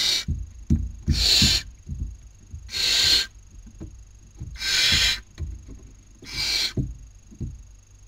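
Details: Barn owl owlets at a Spanish nest webcam, Cabañeros National Park, 2019 breeding season, one taking a sibling's dinner; five harsh hissing screeches amid frequent bumping and scratching sounds in the nest.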